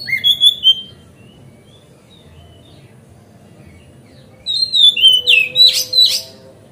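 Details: Magpie-robin singing to provoke other magpie-robins into tail-fanning: a few quick whistled notes, a long pause, then a louder burst of slurred whistles mixed with harsh, scratchy notes, over a faint steady tone.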